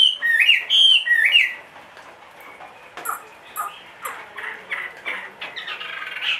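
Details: Loud looping whistles from a caged two-and-a-half-year-old Chinese hwamei, a big-bodied bird, open the recording for under two seconds, followed by faint clicks and soft scattered notes.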